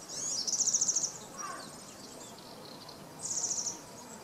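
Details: A male Woodchat shrike (Lanius senator) at Alvor, Algarve, Portugal, gives two high, rapid, buzzy trills about three seconds apart, with a soft lower note between them over steady background hiss.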